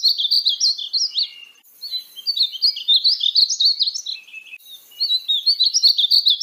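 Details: Song of a painted bunting (Passerina ciris): bright, tumbling phrases of thin slurred notes, three bursts of rapid twittering warble separated by brief gaps, on a clean background.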